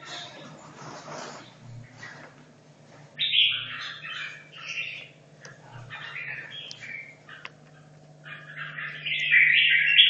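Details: Red-whiskered bulbul from Hanoi, caged for 2.5 years, in competition practice; after a few seconds of faint rustling noise, loud bright warbled bursts break in, ending with a strong chattering phrase, with a low hum throughout.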